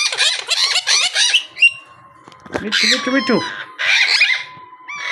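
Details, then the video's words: Pet monk parakeet mimicking speech: rapid harsh syllables at first, a pause, then a low gurgling phrase and further grating squawks, with a faint steady tone behind. "Bolnay Wala Monk Parrot"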